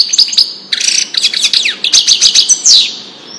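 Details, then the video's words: European goldfinch in Wedani song for tutoring fledglings: a continuous lively stream of high twitters, buzzy trills and quick chirps, ending on a drawn-out descending buzzy note. "تغريد الحسون لتسميع الفراخ"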